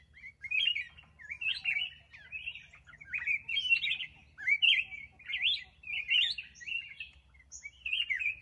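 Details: Black-crested bulbul in captivity repeating bright, bubbly warbled phrases roughly once a second, each a quick twisting cluster of notes, with a low background hum throughout.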